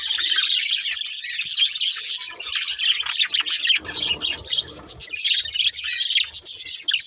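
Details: Colourful budgies from a breeding pair give continuous rapid high-pitched chatter, a scratchy warbling stream of tweets and squeaks with no pauses, busy and bright throughout.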